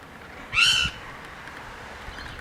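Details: Wild rainbow lorikeets at a backyard feeding tray in Queensland, Australia, giving a single short, shrill, grating screech, followed by quiet background.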